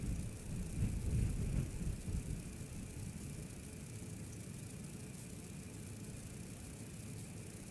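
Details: Steady low rumble and broadband hiss, like wind or distant traffic, fills the whole stretch with no animal call standing out.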